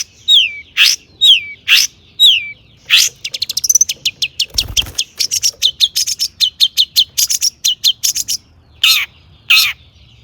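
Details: Energetic long-tailed shrike song with mimicked phrases, aimed at getting other shrikes to sing: sharp falling whistles, a fast rattle of clipped high notes, then harsh bursts, with one brief low thump.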